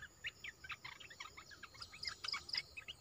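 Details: Caged olive-winged bulbul, newly added to a keeper's flock, singing vigorously: quick bursts of short chirping and chattering notes, clipped and bright, tumbling one after another across three seconds, with a faint steady high hum behind.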